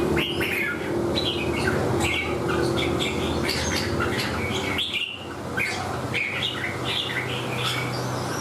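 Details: Red-whiskered bulbul singing while fanning its tail and clinging to the perch, giving short bright chirped phrases with frequent pauses over a steady low hum and room noise.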